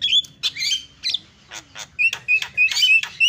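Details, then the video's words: Javan myna (jalak kebo), a prolific singer, in master filler song (isian): varied whistles, slurred and upslurred notes and harsh buzzy bursts, then a run of short rising whistles repeated in quick succession. "MASTERNYA JALAK KEBO SUARA ISIIAN"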